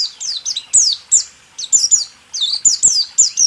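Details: White-eye song in the 'rool tembak' style, used to train caged songbirds: clusters of two or three high, falling whistled notes, separated by short gaps, with loud, piercing note starts.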